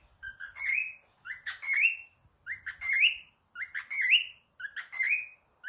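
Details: A pet cockatiel gives loud, rising, slightly harsh whistled calls, repeated about once a second.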